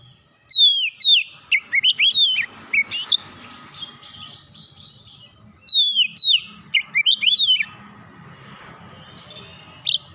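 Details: Calling Oriental magpie-robin in a therapy recording: two bursts of bright descending whistles and sharp chirps, several notes in quick succession, separated by a quieter gap with soft background hum.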